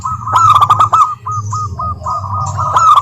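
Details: Local Indonesian zebra dove song played as a lure to prompt silent doves to sing; a quick run of bright rolling notes, then short spaced coos and a renewed rolling phrase over a low background hum.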